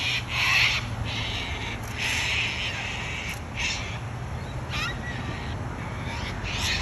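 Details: Wild cockatoos in Australia giving harsh, raspy screeches, each about half a second long, repeated at irregular intervals of about one to two seconds. A steady low hum and hiss run throughout.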